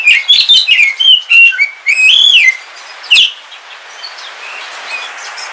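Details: Pet oriental magpie-robin of the black Kalimantan form singing in the rain: quick chirped phrases and a drawn-out wavering whistle, followed by soft rain noise and distant faint whistles.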